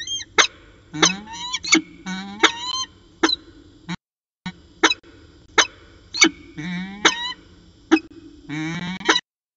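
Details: Peregrine falcon pair at Orange, 13 January 2019, around 4:19 pm, in a long afternoon exchange: drawn-out rising harmonic wails alternate with sharp clicking chips, several bursts spread across the clip over a steady background hum.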